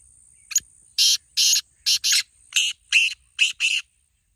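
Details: Black francolin (kala teetar) call, used to prompt a kept francolin to start calling: a run of eight harsh, rasping, buzzy notes in quick, uneven pairs over about three seconds, with a steady high hiss behind.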